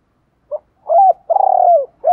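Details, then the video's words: Spotted dove cooing to urge wild-caught birds to call: a tiny note, a rising rounded coo, then a long trembling coo that sinks at its end, with the next coo starting. "Tiếng chim cu gáy kich bổi mới[ tiếng thúc . gáy gọi ] chim cu gáy giọng hạp bổi, giúp bổi mau lên"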